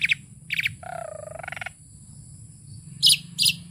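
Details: Tame Asian pied starling in full song: two short high harsh notes, a drawn-out dipping warbled phrase, a brief pause, then two loud sharp high bursts, all over a low steady hum.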